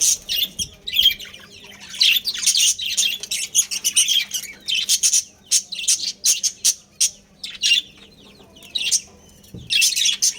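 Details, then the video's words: Breeding pair of budgerigars giving loud, crisp, high chirps and warbled twitters in quick clusters, some bursts rapid-fire, with brief quiet gaps between. "Adorable Budgies Chirping Sounds"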